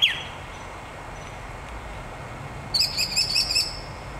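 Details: Unidentified bird in a palm tree gives one sharp descending whistle, then after a pause a short, high, buzzy trill of five or six rapid pulses, against soft background hiss.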